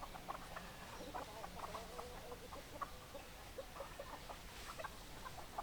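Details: Hens in a flock give soft, repeated short clucks at a quick uneven pace over a low background hum, with occasional brief higher notes.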